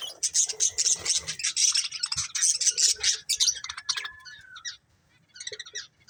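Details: Pair of budgerigars kept for breeding, chattering in a fast continuous warble of rapid scratchy chirps for about four seconds, then a pause and a few brief chirps.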